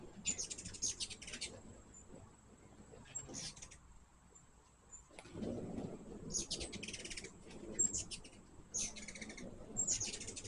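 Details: Hummingbirds visiting a sugar-water feeder give bursts of rapid, high, scratchy chips in clusters several seconds apart, over a faint steady high whine and low background rumble.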